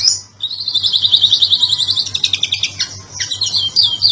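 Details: Oriental magpie-robin (kacer) singing in the ngobra patah, gacor style, used as a master song for training other birds: rapid, dense runs of high, sharp chattering notes, with trilled stretches and whistled flourishes, delivered almost without pause.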